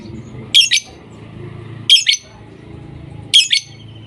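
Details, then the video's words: Lovebirds calling in sustained voicing: sharp, shrill double chirps in short pairs, repeated roughly every 1.4 seconds, with a low hum in the background. "Love Birds Sounds ||5 minutes non stop voicing"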